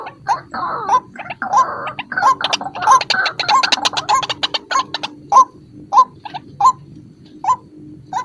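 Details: White-breasted waterhen call used as a lure: a jumble of harsh notes and rapid clicking chatter, then spaced, hoarse, upward-bending notes about every three-quarters of a second, over a low background hum.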